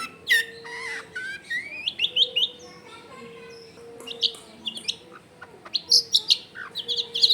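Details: Long-tailed shrike with a rich, varied 'full isian' song, recorded at home in a busy residential area: sweeping whistles, buzzy trills and quick chirps in uneven phrases, with a continuous low hum underneath.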